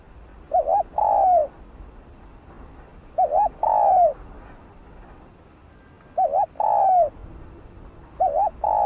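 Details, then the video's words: Spotted dove used as a lure, giving 'thúc gù' coos to provoke other doves to coo. Four phrases roughly every 2.7 seconds, each a quick wobbling note followed by a longer low coo that falls away, against faint hiss. "Chim cu gáy kích bổi nhanh nổi| Cu gáy mồi cây THÚC GÙ,GÙ kích bổi/kích mồi nhanh gáy"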